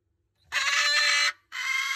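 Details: A Moluccan cockatoo chick in an aggressive mood gives two harsh, broadband screeches, the first nearly a second long, the second following after a brief pause.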